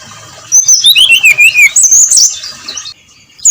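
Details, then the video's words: Dawn singing by a brown-chested jungle flycatcher in the clear ngeplong style: a quick series of high, wavering whistled notes descends and then climbs again before fading out. "SUARA SRDC NGEPLONG PAGI BUTA"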